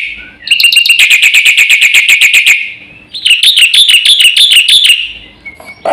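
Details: Black-winged myna singing vigorously in full filler-song style, meant to provoke other birds: two loud bouts of rapid, strident, ringing notes, about four per second, separated by a brief pause, with a faint low hum beneath.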